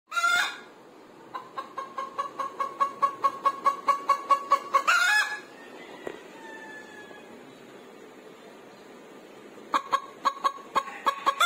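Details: Egg-laying hen clucking on a sofa: a rapid run of sharp, evenly spaced clucks for about four seconds, each with a bright tonal ring, then a quiet pause with faint squeaks before another quick burst of clucks.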